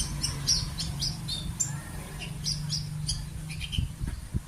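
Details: Sunbird singing high, thin chirps and short sharp notes scattered irregularly through the clip, set against a constant low droning hum.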